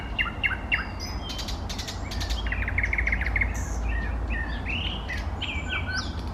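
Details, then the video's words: Eastern nightingale song from 2024, rich and varied: sharp clicking notes, then a fast dry rattling trill, followed by slurred whistles and chirps, all over a constant low background hum. "соловей восточный поёт песни Nightingale singing"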